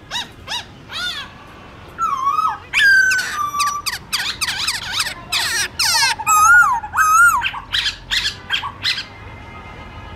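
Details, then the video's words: Forest-style morning song of a black-throated laughingthrush, used to teach young birds: a few rising notes, then loud whistled phrases with held wavering tones and steep slides, delivered in fast, varied bursts. "Khướu bạc má hót giọng rừng Đảo giọng buổi sáng cực hay"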